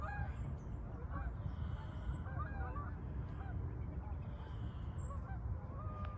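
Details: Scattered honks from geese migrating south, fainter and more spread out, partly buried under a heavy low rumble of wind throughout.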